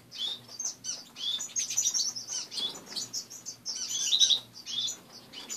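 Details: A group of pet finches in an indoor cage in the morning chatter in bursts of high, squeaky tweets, with quick trilled notes and brief quieter gaps between flurries; a low steady hum runs throughout.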